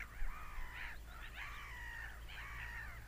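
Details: Screaming seagulls give three drawn-out nasal wails, each starting with a rising swoop and then holding a level pitch, over a constant low hum.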